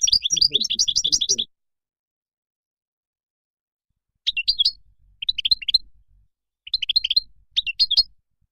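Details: Moroccan goldfinch delivering a fast, rhythmic twittering trill, a long silence, then three short bursts of sharp, tinkling chirps spaced about a second apart.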